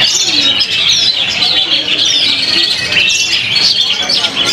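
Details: Long-tailed shrike from Indonesia singing: a dense, fast run of high, sharp chirps, squawky notes and thin whistled phrases, almost unbroken for several seconds, with faint voices in the background.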